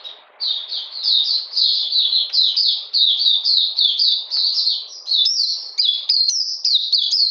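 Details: High, sweet song of an Oriental magpie-robin in cold rainy weather, 13 June 2020; steady cascading chirps that become sharper and more clipped toward the end.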